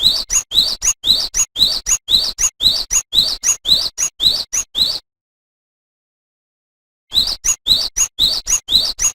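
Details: Vigorous cinereous tit song used to tutor cage songbirds such as white-eyes: a rapid, regular series of sharp high notes each followed by a rising whistle, pulsing about twice a second, pausing for two seconds before resuming.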